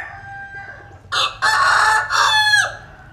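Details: Crowing rooster from the Mekong Delta region of Vietnam, out in the sun. A faint whistle-like tone leads into a loud three-part crow: a short burst, a long sustained middle note, then a falling final syllable.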